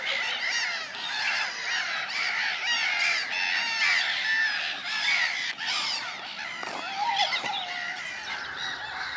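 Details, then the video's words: Gulls calling in early spring: a dense flock of harsh, arched, harmonic cries, repeated and overlapping throughout, with a few sharp clicks and a lower drawn-out note near the end. "Чайки ранней весной"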